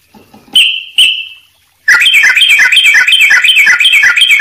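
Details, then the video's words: Sooty-headed bulbul song for training other birds: two sharp clear whistles, silence, then a sustained burst of fast bubbly warbled notes. "trucuk gacor buat masteran jeda rapat full isian"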